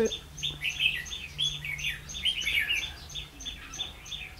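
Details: Red-whiskered bulbul decoy at a trap, 16 October 2016: sharp chirps and short warbled phrases, with a regular high tick and a faint low hum.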